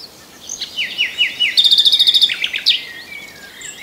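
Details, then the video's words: Nightingale phrase of several down-slurred whistles followed by a rapid trill of short, buzzy repeated notes, then scattered softer notes; faint distant birds sing in the background. "The best Birdsong movie ever starring the Common Nightingale"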